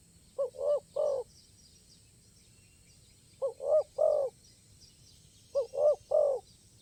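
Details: Spotted dove in the field during a luring session, crisp stuttering style; three repeated phrases about every two and a half seconds, each a brief low coo followed by two fuller, longer coos, over quiet insect buzz.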